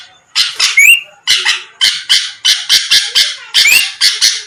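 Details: Sooty-headed bulbul, vocal and lively, played to provoke a rival's quick reply: grating, buzzy note pairs in steady sequence, with two thin rising whistles cutting through the chatter.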